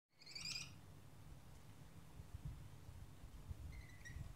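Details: Rainbow lorikeet chick being fed by its mother a few metres away in a garden in the morning gives a harsh, rasping screech, then a thinner, quieter squeal a few seconds later, over a steady low rumble of wind.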